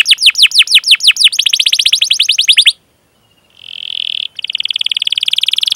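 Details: Canary chirping used to train young birds: spaced down-slurred chirps quicken into a dense trill, pause briefly, then a buzzy note and another fast high trill.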